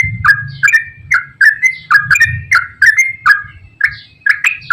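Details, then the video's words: Yellow-vented bulbul (trucukan) in long rapid 'ropel' chattering song, played as a lure to prompt reluctant birds: quick run of short, bright, slurred chirps, each dropping sharply in pitch, about eight in under five seconds, with low rumble beneath. "KICAU TRUCUKAN GACOR ROPEL PANJANG"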